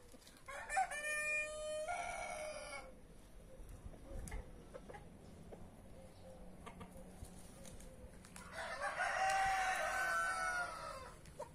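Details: Free-range roosters of brahma, marans, naked neck and white star breeds in a back yard; two long crows, one near the start and a rougher one near the end, separated by quiet stretch with soft clucking.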